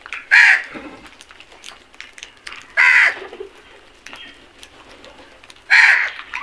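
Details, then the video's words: Flock of crows at food, three loud hoarse caws roughly every two and a half seconds, with faint clicks and chatter between. "Flock of crows attack on food beautiful video | Beautiful crows sounds"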